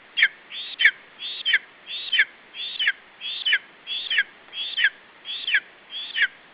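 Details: Lesser spotted eagle chick in a nest in Estonia protecting its food from an adult, late afternoon of 21 July 2012. A steady run of ten loud, high, downslurred squeals, evenly spaced about every two-thirds of a second.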